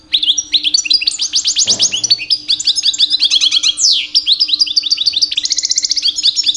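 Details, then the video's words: Two-year-old European goldfinch male, singing constantly in mating season to attract females; dense rapid twittering and trilled runs, one long downward sweep, near-continuous; a brief low thump early on. "My 2 years old Goldfinch song"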